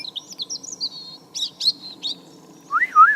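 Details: European robin singing on a cold November 2014 morning around a garden; a string of thin, high, tumbling notes and quick twitters, ending in a lower, wavering, looping whistle.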